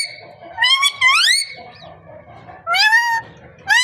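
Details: Parrot vocalizing: loud rising whistled, voice-like phrases with rich harmonics, two close together, a pause, then another pair, over faint low background hum.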